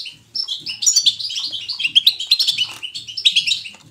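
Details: Natural goldfinch 'batbata' song for encouraging a goldfinch to sing: after a short silence, a brisk run of high, sparkling twitters and chirps, with faint low clicking beneath.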